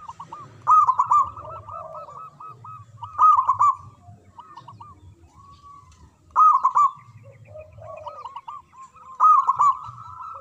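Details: Local zebra dove with a strong voice singing: loud, rolling phrases of cooed notes come about every three seconds over a continuous softer cooing chorus.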